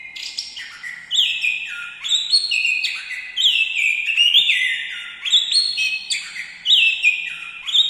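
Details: Loud, varied song of an orange-headed thrush: bursts of high whistled notes dropping to lower held tones, phrases repeated roughly every second with brief pauses.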